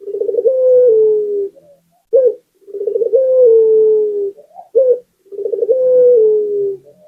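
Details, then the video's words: Actively singing local Barbary dove as a lure so others keep singing: three phrases, each a rapid throbbing roll leading into a drawn-out soft, falling coo, separated by short abrupt single coos. "Suara Burung Puter Gacor || PANCINGAN ANTI MACET"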